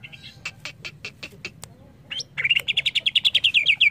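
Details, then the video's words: Greater green leafbird, a recording for getting untrained birds to sing: soft ticking clicks, a brief pause, then a loud rapid run of chipping notes gradually rising in pitch. "Suara burung CUCAK IJO ini cocok buat terapi bahan agar cepat gacor"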